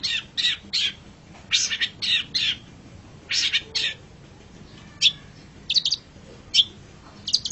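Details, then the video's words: Long-tailed shrike in a master recording of its song: short, harsh, buzzy note bursts in clusters of two or three, separated by pauses, with faint low background hum. "Masteran Suara Pentet Cendet"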